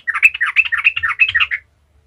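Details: Yellow-vented bulbul (trucukan) in lively gacor ngalas style, used as a lure to get other bulbuls singing: a 1.5-second run of fast, bubbly chattering notes, rising and falling around a steady mid pitch, then silence.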